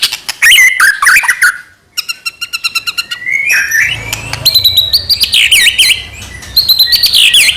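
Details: White-rumped shama, Medan type, with full varied song to trigger singing in other shamas: looping whistled phrases, a quick ticking series, then rich warbled notes rising and falling.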